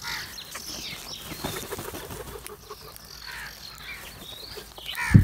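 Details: Crows eating together and calling loudly, several rough, descending caws overlapping one another through the recording, with a low rumbling noise beneath and a thump near the end.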